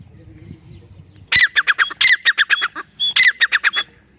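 A francolin gives loud, harsh, grating notes in a rapid burst of about eight, then a brief pause before another run of calls, over a quiet background.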